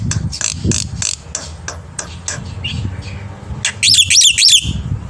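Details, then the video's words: Morning song of an actively singing black-winged myna, a tutor for young mynas: rough broadband notes repeated about every quarter second, then a quick run of high, clear whistled notes, with low rumbling noise behind. "jalak putih gacor pagi hari"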